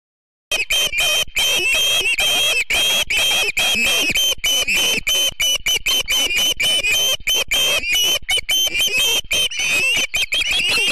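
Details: Ospreys of a family at the Charlo nest in Montana on a September morning, 7 September 2016, recorded by a live nest camera; loud, rapid, whistled chirps run almost without pause, each note slightly rising, continuing for the whole stretch.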